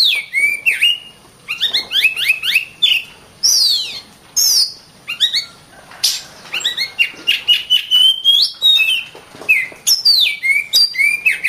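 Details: Oriental magpie-robin singing a loud, varied song of sweeping whistles, rising and falling slurred notes and sharp chirps in quick succession, with a faint steady high tone in the background.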